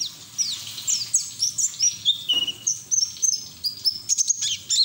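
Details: High, fast white-eye ngeriwik song, sung open-beaked in ngalas style to get other white-eyes singing; thin twittering notes, one lower drawn whistle midway, then quick upward chips.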